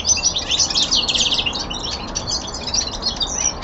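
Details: Young male common linnet in winter descant, kept at home: a loud opening burst of quick twittering that eases into softer, scattered chirps.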